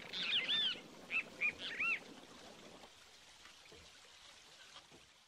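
A waterbird gives a quick burst of high, slurred chirps, about five notes in under two seconds, then falls silent over a steady wash of flowing water.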